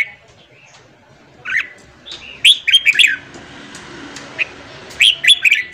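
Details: Morning song of a red-whiskered bulbul, played to fire up newly caught birds. After a quiet start, bright whistled notes arrive in quick clusters of three or four, with a rapid, uneven rhythm.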